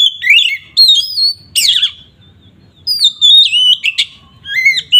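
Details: Oriental magpie-robin singing loudly to provoke rival magpie-robins, varied whistled phrases with rapid upward and downward sweeps and harsh buzzy notes, delivered in short bursts with gaps between.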